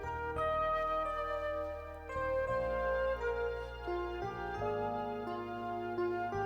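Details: Soft, tender instrumental music with sustained piano-like chords and gentle chimes, and no birdsong or other animal sounds audible.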